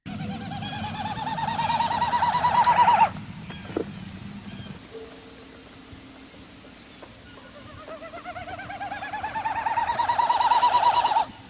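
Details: Two bouts of Wilson's Snipe winnowing, a hollow, rapidly pulsing hu-hu-hu that rises, swells, then stops. It is a display-flight sound made by wind over the outer tail feathers as the bird dives steeply, not a vocal call.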